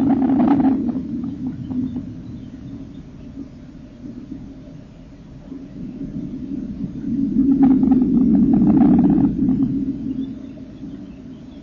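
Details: Nest of common kingfishers, 30 April 2014, with young being fed by the parents: a low droning churr, loud at the start, fading, then swelling strongly with scratchy crackles around the eighth second.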